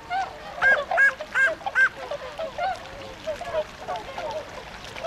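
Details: At Ohotaden pond in Azumino, Japan, on 22 February 2013, tundra swans set out to forage in nearby rice fields; four or five strong, resonant honks ring out early, followed by fainter scattered calls.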